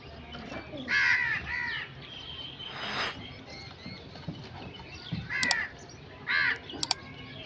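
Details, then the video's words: Harsh crow caws, a pair near the start and another pair later, coarse and nasal in tone, with a broadband rustle midway and sharp ticking sounds near the end. "Crow sound effects 🔥 | Relaxing and natural bird sounds"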